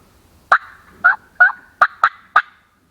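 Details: A wild turkey gobbler gobbles on a spring morning on public hunting land in the mid-Atlantic US: a quick burst of six rattling, broad notes within about two seconds, with a faint steady tone between them.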